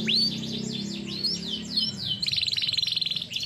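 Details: A canary singing live as training song: a run of swooping rising whistles, then a fast even trill from about two seconds on, over a low droning hum.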